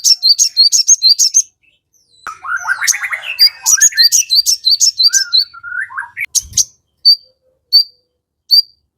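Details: Crested jay in full song, meant to provoke other birds into quickly calling back: rapid bursts of high, sharp chirps, a rattling warbled passage lower down, then sparse single high notes spaced about every second.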